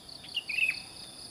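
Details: Sooty-headed bulbul singing cheerfully in the morning in a rural mountain setting at sunrise: a short burst of bright, bubbly whistled notes in two quick parts, over a steady high insect drone.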